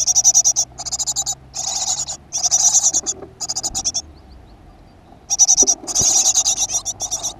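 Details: At a nest box in a school garden, a great tit, recorded 7 June 2015, gives close, loud rasping pulse trains, each under a second, then a pause of about a second before the raspy bursts resume.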